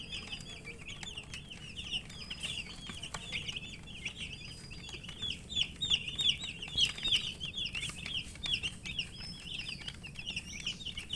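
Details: Many baby chickens in a poultry group, thirsty for water, producing a dense chorus of high downslurred peeps that swells in the middle, with scattered clicks and knocks throughout.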